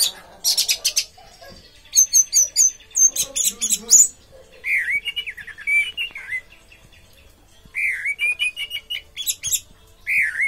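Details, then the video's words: Orange-headed thrush singing a busy, varied run of high chirps and sharp whistled notes, then lower rolling, slurred phrases repeated in short bursts, with quiet pauses between. "Anis merah tak sesuai harapan, bodi bagus tapi teler ngaceng"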